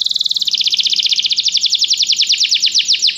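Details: Canary training song meant to make a canary start singing at once: a bright, rapid high trill of evenly spaced notes that gradually slows into distinct, slightly falling pulses over about three seconds, clean with no other sounds.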